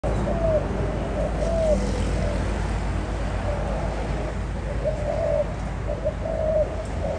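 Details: Spotted dove giving soft, short cooing notes at a low-middle pitch, a few coos spaced unevenly through the recording, over a steady low rumble of background noise.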